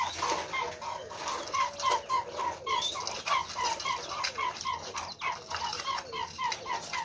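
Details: Captive Chinese quails, a group of seven including a white albino bird, housed with a Gould's finch; a fast run of short, soft mid-pitched peeping notes, about three or four per second, with faint rustling behind.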